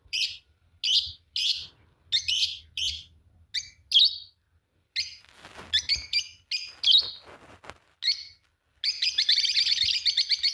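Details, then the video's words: Two green Fischer's lovebirds chirp steadily, a run of short sharp squeaks spaced about half a second apart, then a denser cluster and a closing rapid buzzy trill. "Lovebird singing and chirping sound, green fischer pair"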